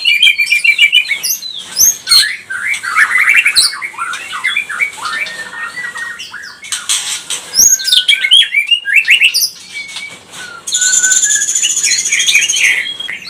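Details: Provoking song of a white-rumped shama of the pastol type, meant to stir rival birds: dense bursts of whistles and harsh buzzy phrases, then a long rasping high trill near the end, with a few sharp clicks between phrases.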